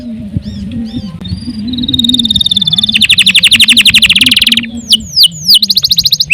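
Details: Canary song for tutoring other birds, starting faint over a low background hum, then building into a long rapid trill that rises in strength, closing with quick downswept whistled notes.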